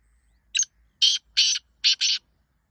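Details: Black francolin giving a harsh, grating call: a brief rasping note, then four loud buzzy bursts over about two seconds, the final two run together, with a quiet background.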